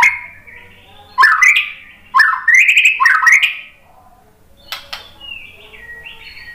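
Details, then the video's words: Lure song (pancingan) of a white-rumped shama, played to stir shamas into song. Three loud bursts of rising slurred notes come in quick succession, followed by soft, thin, distant-sounding whistles. "SUARA MURAI BATU Untuk Memancing EMOSI JADI NYAUT GACOR"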